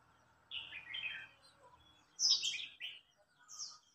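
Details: Red-whiskered bulbul in a singing contest, older bird against young bird; a slurred whistled phrase followed by high, sharp chirping notes.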